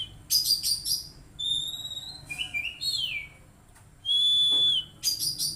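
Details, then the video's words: Oriental magpie-robin song played as therapy to get an untrained young bird singing quickly: loud clear whistled notes, some rising and falling, between bursts of harsh rattling chatter, over a faint low hum. "Terapi Kacer Bahan Agar Cepat Bunyi"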